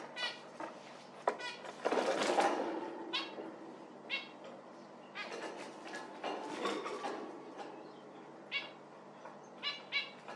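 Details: Zebra finch calls repeated in quick irregular series, mixed with rustling and fluttering noise.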